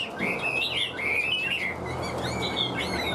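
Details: A caged Hwamei known as a strong singer and fighter gives short whistled phrases with wavering, slurred notes over a steady background hum.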